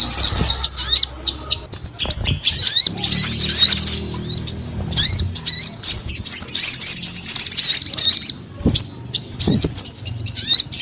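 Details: Sogon singing vigorously, a dense burst of high, rapid chirps and twittering trills broken by short pauses, with sharp clicks and a faint low hum beneath.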